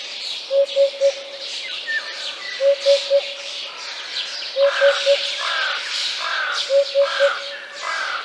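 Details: Eurasian Hoopoe in Central Russia gives soft, low hollow triplets, 'oop-oop-oop', repeated about every two seconds, over a busy chorus of higher-pitched songbirds.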